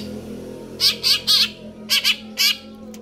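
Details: Greater green leafbird singing vigorously: two groups of rasping, buzzy high notes, three then two, and a final single note, over a low steady hum.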